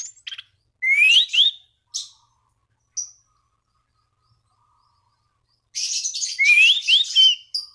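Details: Orange-banded thrush singing vigorously to call rivals and stir other thrushes into song: scratchy high bursts with clear rising whistled slurs, in two phrases separated by a few seconds of silence.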